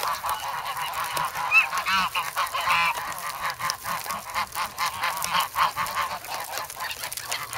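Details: Young geese, grown from goslings, noisy and hungry in the snow at Sloterpark, Amsterdam, on February 3, pecking eagerly for bread; a flock gives overlapping harsh honks and nasal calls in quick bursts, some rising, with clicking pecks throughout.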